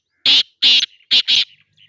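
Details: Black francolin calling in Sindh, Pakistan: four loud grating notes in two pairs, a steady opening pair and a quicker closing pair, ending with faint softer squeaks.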